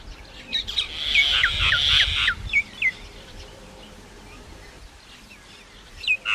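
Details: Common myna making varied singing sounds: a dense burst of harsh chatter, then a series of quick, high, downslurred whistled notes with gaps, over steady background hiss.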